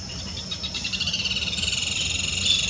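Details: Glittering-bellied emerald hummingbird singing: a high, thin, buzzy trill of fast shimmering pulses that slides slightly lower partway through and runs steadily for nearly three seconds, with a faint low hum beneath.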